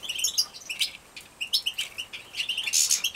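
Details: Young European goldfinches bred in captivity in Poland, 2017, call while being fed: sharp high tweets in quick, irregular series, ending with a brief, louder, shrill burst.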